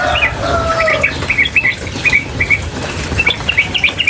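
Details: Yellow-vented bulbul female, calling nonstop in a bird-training recording set against flowing water: after a brief low whistled note, clusters of short bright chirps come in rapid bursts, backed by continuous splashing water noise.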